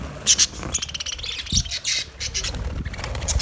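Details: Budgerigars in an aviary, Australia: many birds chattering at once, harsh squawks and short chirps overlapping, with bright high notes and low rumbling background noise.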